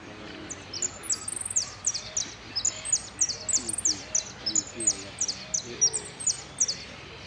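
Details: "El Cristalino" song of a saffron finch, a style with prio, golpe and pitadas: a steady run of piercing high whistles and downslurred chips, with a short rapid stutter near the start, against low background murmur.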